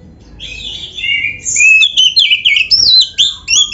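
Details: Caged white-rumped shama, locally kacer, in a lively full song used to prompt other birds to sing: loud whistled and slurred phrases, rising and falling, delivered in quick bursts after a quiet start.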